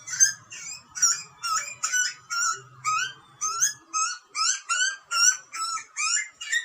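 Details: Baby butcherbird, wild in Australia, begging loudly while fed by its parents; steady series of harsh rasping upward screeches, about two per second, fairly even in loudness.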